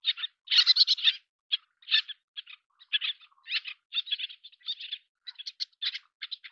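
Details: Little tern at chick-feeding time: rapid, raspy high notes in irregular clusters, some doubled or trebled, against near silence.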